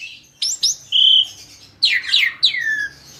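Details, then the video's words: Asian pied starling, said to cleverly lure other birds into singing along: a few sharp rising whistles, a steady clear whistle, then a loud burst of harsh chattering notes and a falling whistle, with quiet gaps between. "Jalak suren ini PINTAR memikat burung lain AGAR IKUT GACOR"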